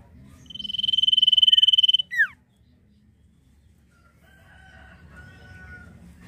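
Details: A cipoh (Common Iora) gives its drawn nyiul whistle, high, steady and pulsing rapidly for about one and a half seconds, then closing with a quick falling note. Faint lower whistles follow later.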